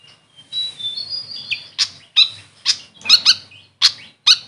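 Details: Grey fantail, locally called Maria Capra, calling: a thin high whistled phrase followed by a series of sharp separate chirps, each about half a second apart.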